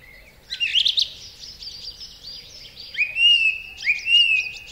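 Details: A song thrush (Turdus philomelos), in a garden-bird recording, sings strident, far-carrying, full-whistled phrases marked by repetition: a quick chattering burst, then a rising whistle repeated twice about a second apart.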